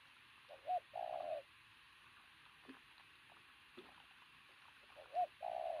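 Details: Loud-cooing pigeon of athletic build. A short hooked note runs into a longer level coo, then a pause with faint clicks, then the same two-part coo again at the end.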